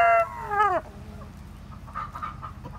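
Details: Seven-month-old Plymouth Rock rooster, described as large for his age, crowing: the last part of the crow, a loud harmonic note held briefly and then dropping sharply in pitch, under a second long, followed by quiet background.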